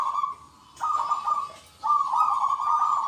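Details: Local zebra doves, many calling back and forth in the big 'kung' voice: one short coo, then two long, steady, rolling phrases, with faint chirps above.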